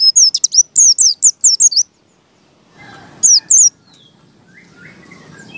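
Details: White-eye singing ngalas style as a lure for other white-eyes. A dense, quick string of thin, high, slurred whistles fills the opening seconds. Then comes quieter background with one more pair of notes and faint lower chirps.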